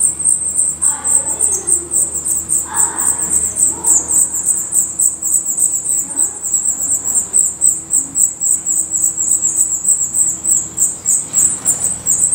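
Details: Black redstart at its nest in Portugal: a long, unbroken chatter of high-pitched calls, fast and insistent at around four per second, with occasional faint lower rustling.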